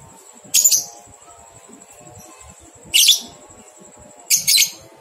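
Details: Lovebird ngekek as training material for two-month-old young birds: three harsh, buzzy double-pulsed chatters about two seconds apart against a constant high-pitched whine.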